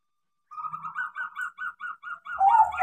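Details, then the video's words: Crossbred zebra dove, trained to sing: a fast, even series of about ten short bubbling notes, rising slightly in strength, ending in a louder whistled coo. "PERKUTUT CROSSING GACOR KARENA DIAJARI"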